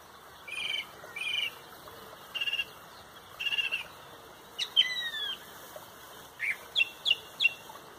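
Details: Song thrush dominating a sunrise dawn chorus in Pontrobert, delivering a series of short high phrases, several sung twice in quick succession, separated by brief gaps, with sharp ringing notes toward the end.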